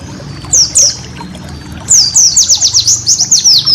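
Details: Training song of a white-eye kept as a cage bird: two thin high slurs, then after a short gap a burst of rapid sharp chirps, each note sweeping downward.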